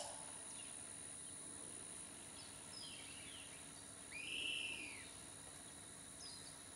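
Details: Montezuma oropendola: a single loud, liquid, arching note swells and fades after a few soft, scattered sounds, with a faint steady high hiss in the background.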